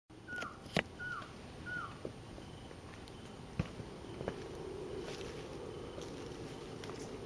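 Masked trogon giving three short, mellow, slightly falling notes about a second apart, then falling quiet; faint clicks, rustling and low background noise follow.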